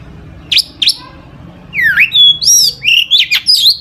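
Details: Chattering long-tailed shrike in imitation-filled song meant to lure other shrikes into singing; two short sharp chips, a pause, then a run of swooping, warbled and buzzy whistled phrases.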